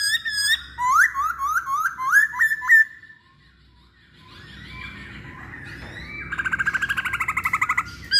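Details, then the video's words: Masked laughingthrush, local name poksay hongkong, from a pancingan lure recording: a rapid string of short whistled upslurs, a pause, then murmuring and a fast trilled rattle of repeated notes near the end over a background hum. "Pancingan Poksay Hongkong"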